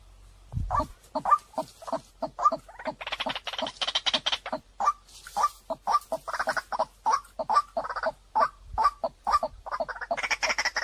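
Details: White-breasted waterhen lure call: a long, dense series of rapid throaty kwak notes, about two to three per second, with rasping overtones. A low thump sounds near the start.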